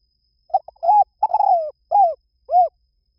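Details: A single spotted dove phrase: brief hesitant notes, a smooth coo, a long tremulous coo sliding downward, then two well-spaced, arched coos. The setting is otherwise silent.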